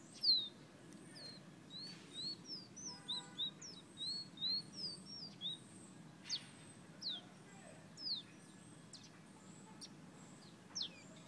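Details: Guyana bird with fire-red plumage giving a lively series of high whistles, short and slurred, up and down, clustered quickly in the first half and then spaced out into sharp falling notes; faint background hiss.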